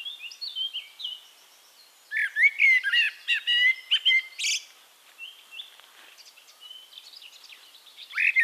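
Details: Eurasian blackbird singing in Castricum, the Netherlands: mellow fluted warbling phrases around the middle pitch range, ending in high twittery flourishes, with quieter distant song between bursts.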